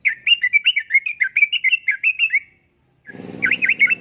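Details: Lively trucukan, or yellow-vented bulbul, singing uplik-uplik for luring and tutoring caged birds: a continuous bubbly chatter of rolling warbled notes for over two seconds, then a brief pause and a harsher, noisier phrase.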